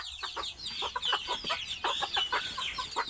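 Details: Farm chickens clucking in a series of short, broken calls, several overlapping voices with high chirps above them.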